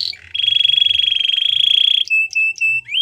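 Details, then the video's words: Belgian canary song used for training, a long rapid rolling trill held at one mid-high pitch for nearly two seconds, followed by short separated whistled notes and a rising slur. "Canary singing for training | Belgian canary song"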